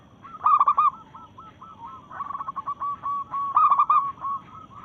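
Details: In breeding mood, a local zebra dove challenges rivals with loud bursts of rapid coos about three seconds apart, while a steady stream of softer, quick coos from other doves fills the gaps.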